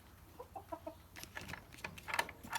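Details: Friendly free-range chickens in the morning give soft, short clucks, then sharper, higher squawks and chirps, while a woman greets them warmly over the flock.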